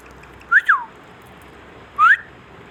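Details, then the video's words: Indian ringneck parrot in a quiet room giving two short whistled notes: a quick rising-then-falling pair of slurs, a pause of over a second, then a single upward whistle. "ringneck |parrot |king |parrot talking"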